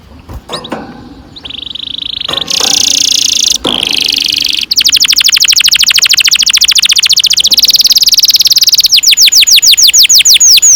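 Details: Canary singing a long roll, used as a lure to train young canaries to sing: short chirps and a steady buzzy tone, then a very fast high trill, closing with slower sweeping trilled notes.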